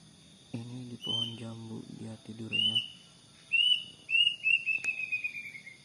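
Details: Plaintive cuckoo calling in front of a house in the morning: a person speaks briefly, then single high whistled notes follow and end in a quick descending run of whistles.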